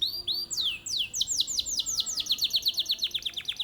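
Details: Contest canary from Mojokerto, Indonesia, singing a series of clear down-slurred whistles that speed up into a fast, evenly repeated trill of bright high notes.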